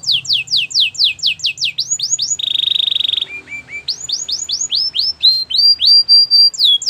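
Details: Belgian canary in training song. Rapid downslurred notes lead to a buzzy roll and a few low notes, followed by rising whistles and longer level tones.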